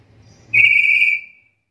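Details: A single long, flat, clear whistle from a black-capped lory, whose call is said to be unusual among lories and good for teaching songbirds, starting abruptly after a faint low hum.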